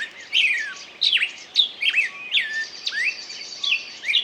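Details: Short burst of bird song: sweet downward-sliding whistles and sharp chirps about every half second, with a thin high trill underneath.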